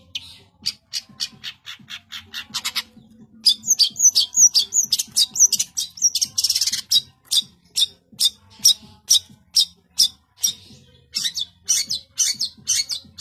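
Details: Dense cendet song from a long-tailed shrike: rapid staccato ticks, then a harsh buzzy stretch, then crisp repeated chirps at an uneven, quick pace.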